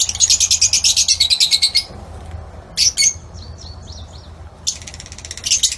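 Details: Lutino Fischer's lovebirds in an outdoor aviary produce a rapid run of sharp shrill chirps, then a pause, a few quick squeaky notes with faint twittering, and another burst of high chatter, with low hum beneath.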